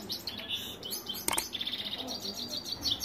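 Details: European goldfinch singing continuously: a fast, tinkling run of high twittering and buzzy notes with rapid trills, broken by one sharp click-like noise.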